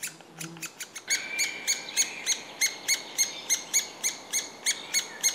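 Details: A three-toed woodpecker chick begs while a parent feeds it: rapid, high, scratchy chirps, about three per second, in a steady run after a few scattered opening notes.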